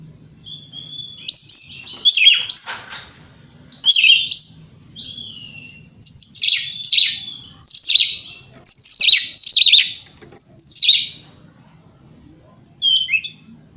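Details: Oriental magpie-robin in full morning song meant to make rival birds respond: a series of harsh, buzzy, scratchy phrases repeated every second or so, with a thin whistle at the start and a short one at the end.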